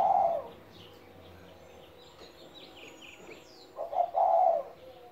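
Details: A pet spotted dove, seventeen years old, gives a low, soft coo at the start and a fuller stuttering coo near the end. A quiet stretch of small birds' chirps and twitters comes between them.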